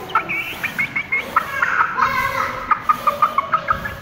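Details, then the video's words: Fifteen-day-old Aseel chick peeping: short high cheeps repeated in quick runs, a brief louder rasping stretch in the middle, then a steady series of about nine peeps, with constant background noise. "Aseel Chick 15 Days Old"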